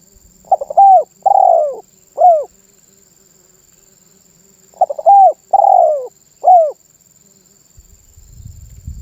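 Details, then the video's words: Spotted dove cooing energetically: two phrases about four seconds apart, each a few quick short coos, then a longer drawn-out coo and a final short coo, mellow and low-pitched, with faint rustling near the end. "SUARA BURUNG TERKUKUR MANGGUNG GACOR"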